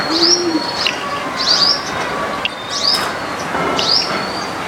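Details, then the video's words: Common myna calling in a home backyard garden in India: short whistled notes, some slurred upward, repeated about every one and a half seconds, with a brief low cooing note near the start and steady faint background hiss. "Common Mynah calls"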